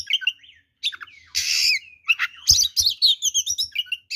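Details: Oriental magpie-robin, singing a full fighting song to provoke rival birds, mixes slurred whistles, a long harsh buzz and rapid repeated chirps, with faint low knocks.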